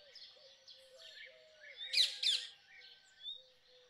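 Rose-ringed parakeet giving two loud, harsh screeches about a quarter-second apart, over a background of softer chirps and a steady low hum.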